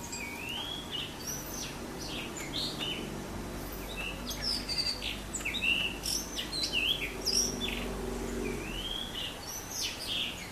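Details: Blue rock thrush song with a run of rich whistled phrases, upslurred notes and high chirps repeated over several seconds, plus a low steady hum underneath.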